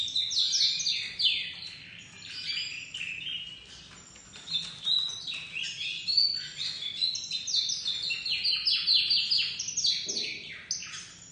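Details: Crested dominant-white domestic canary youngster in a long bout of song, pouring out high chattering trills and repeated whistled notes that swell and fade in waves.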